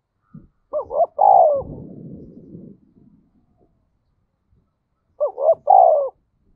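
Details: Decoy spotted dove calling to rouse wild doves: two cooing phrases, short double notes then a long descending coo, the first followed by a brief rustling noise before silence.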